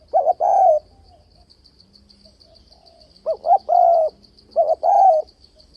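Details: Spotted dove luring call for trapping, varied-voice delivery with steady 'bo' notes: two phrases of quick, hollow coos, each closing on a longer sustained note, with a faint regular high-pitched ticking behind.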